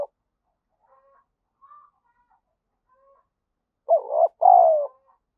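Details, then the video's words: Decoy spotted dove giving urging coos meant to excite and lure birds quickly; faint soft notes, then a strong two-part coo near the end, a brief quavering opening note and a longer, steadier descending second note. "chim cu gáy mồi gáy thúc và gù, chim cu gáy kích bổi rất nhanh nổi bổi nghe nhanh gáy về nhanh"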